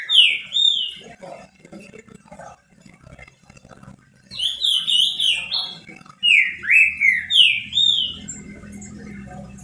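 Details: Pet trinca-ferro (green-winged saltator) singing a lot to stimulate other saltators: three separate bursts of loud, swooping whistled phrases with quiet gaps between, faint low murmuring sounds in the background.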